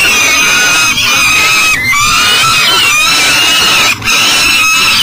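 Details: Peregrine falcon with food, blocked from its nest box beside the Mississippi River in Elk River, Minnesota, early morning. Continuous loud, rasping, wavering wails, with short gaps near one and four seconds.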